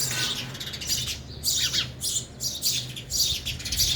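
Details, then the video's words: Sparrows eating at a feeder, one of them young; loud, rapid squeaky chirps in quick bursts broken by short gaps, over a low background drone. "sparrow sound effect | ચકલી ઘર | chaklino avaj | sparrow eating"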